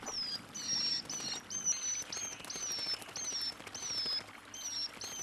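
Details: Brown dipper (Cinclus pallasii) chick on a Korean river beside its parent, begging for food (caddisfly larvae) with thin, high, slightly arched squeals about every two-thirds of a second, over rushing stream water.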